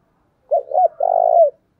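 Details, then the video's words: Lure spotted dove calling to bring in wild doves: a single phrase of two short, rounded hoots, then a sustained purring coo that drops slightly at the end; clean recording. "Chim Cu Mồi Gáy thúc căng lửa, anh em mở nên bổi và mồi gáy theo cả ngày"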